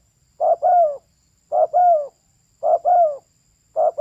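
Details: A female spotted dove gives steady paired coos, a short note then a longer downward-sliding coo, repeated about every 1.2 seconds in a quiet setting.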